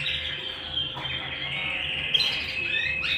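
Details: A canary at home gives a long, even, high rolling trill with a bright chirp partway through, over a quiet constant hum.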